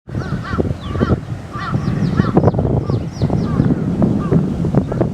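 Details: Large wild flock of Eurasian tree sparrows buffeted by strong wind in a Japanese wildlife sanctuary; short high chirps and sliding notes scattered over several seconds, with heavy low wind rumble throughout.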